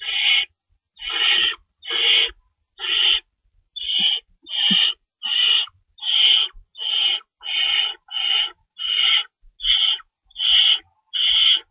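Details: Owls at the nest before dawn on March 25, 2012, 3:53 AM, feeding time with two rabbits stored and an adult shredding food; fourteen regular hoarse hissing screeches, a little under one per second, with faint rustles between them.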